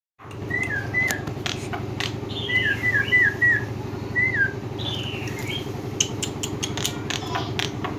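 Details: Black-winged myna giving short slurred whistled notes, some single and others in quick clusters around the middle, over a steady low droning hum with scattered clicks and taps.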